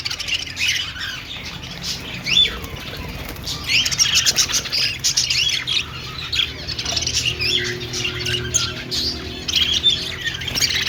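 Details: Budgies singing and dancing: fast, buzzy, clicking warble mixed with sharp whistled chirps, coming in irregular bursts throughout, and a soft low tone near the end.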